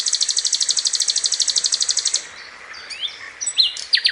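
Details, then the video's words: ['Masteran recording of sikatan londo flycatcher in tembakan style: a rapid high buzzy trill of evenly repeated pulses, breaking off into faint scattered chirps and a few sharp rising and falling whistles.'] "suara masteran sikatan londo (tembakan mantap)"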